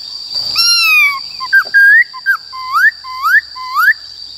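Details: ['Black-throated laughingthrush in forest-voice song for training young and wild-caught birds: a long downward-sliding whistle, a few short notes, then four rising whistled upslurs repeated about every half second, with a steady high background hum.']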